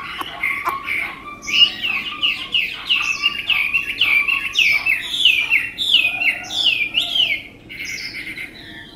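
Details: Caged tame Chinese hwamei sings a lively series of down-slurred whistled phrases, about one every half second, rich and varied, after a few opening sharp clicks.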